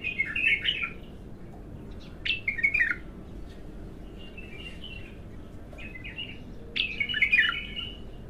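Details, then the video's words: Bulbul, raw and untrained, in its first singing session, producing scattered phrases of burry, downslurred whistled notes with softer chattering notes between them. "تغريد الابتر"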